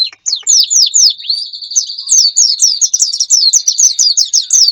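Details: Wild-bird lure recording from Indonesia, meant to draw in wild birds: rapid high chirps sliding downward, repeated several times a second over a steady high trill, with dense overlapping calls throughout.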